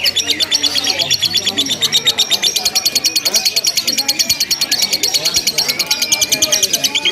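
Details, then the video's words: Ngekek chatter from a lovebird in a simulated singing contest, long and without pause: a dense, fast stream of sharp high pulses lasting the whole stretch, with muffled human voices and background hum low down. "SUMULASI LOMBA LOVE BIRD TERBARU 2025 NGEKEK TANPA JEDA DURASI PANJANG"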